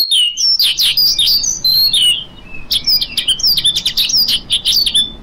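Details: A lark pours out quick, high-pitched twittering notes, mixing sharp chirps with slurred whistled phrases, pausing briefly partway before resuming the busy warble.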